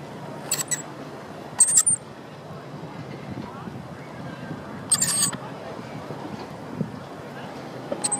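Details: Rainbow lorikeet in the Royal Botanic Gardens, Sydney, near the Opera House, with brief harsh high screeches scattered through the recording above a constant murmur of people and city noise.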